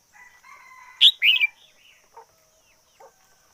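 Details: Decoy red-whiskered bulbul singing fiercely in 2021, a loud, quick phrase of three bright, bubbling whistled notes, preceded by softer low twittering and followed by two brief quiet chirps, steady high hiss behind.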